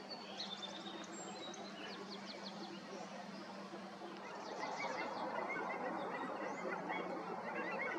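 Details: Bald eagles at Julia Butler Hansen NWR, Washington, on 18 March 2024, where over 65 congregated, giving thin, high piping chitters in quick falling series, two bursts a few seconds apart, over rushing background noise and faint other bird notes.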